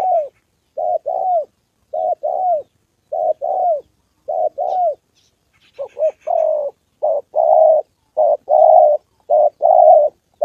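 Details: Spotted dove, a decoy bird being trained for trapping in Gia Lai, Vietnam, on the 2 September holiday, meeting a wild bird and a female. Mellow paired coos repeat about once a second, with faint chirps near the middle.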